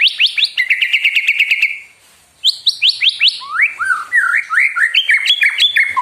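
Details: Provocative white-rumped shama song that spurs other birds into singing: a rapid rattle of repeated notes, a short pause, then a series of loud, rising, upslurred whistles repeated several times per second.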